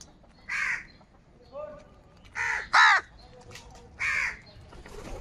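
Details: Crows in the morning, several birds fighting for food, giving separate hoarse caws about once a second with short pauses. One rasping caw is louder than the rest, and a few faint softer notes lie between the calls.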